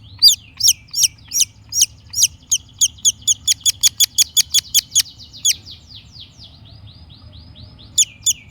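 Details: Long-tailed shrike singing as a lure for a stuck bird: rapid sharp downslurred notes speeding into a fast series, then a fading buzzy trail and a few final calls.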